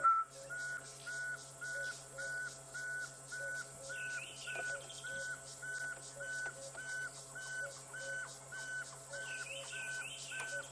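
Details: Pearl-spotted Owlet heard on an evening sunset game drive near a dense thicket, 8 November 2016; possibly a recording played by the guide. A long series of clear, evenly spaced whistles, nearly two per second, with faint chirps and steady hiss.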